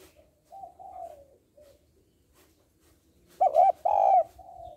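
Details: Female spotted dove calling to stimulate males. Faint, drawn-out cooing comes first, then a strong double coo, the second note longer and fading out gently.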